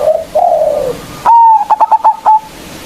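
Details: Local zebra dove lure to provoke rivals: two soft, slightly falling coos, then a loud steady note that breaks into about six rapid, even pulses.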